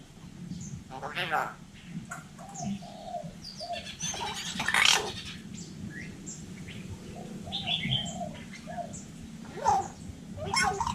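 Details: Vietnamese hill myna talking like a human, mixing raspy voice-like bursts with runs of short arched notes and high whistles across the recording, over steady low background noise.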